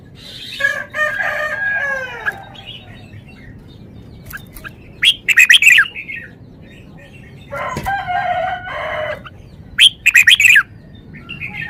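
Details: Red-whiskered bulbul kept as a cage bird, displaying its range of song phrases: several separate bursts of rich, chattering whistles and warbles, spaced a few seconds apart, with quiet gaps between them.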